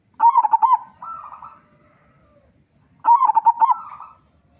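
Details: Zebra dove, a local bird with a big voice, sung to lure others into calling: a fast rippling series of coos trailing into a steadier drawn note, the phrase coming twice about three seconds apart.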